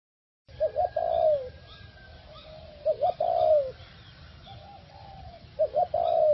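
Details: Caged four-year-old decoy spotted dove, cooing well after a move to a new cage and area: mellow phrases of two short notes and a longer falling coo, repeated about every two and a half seconds.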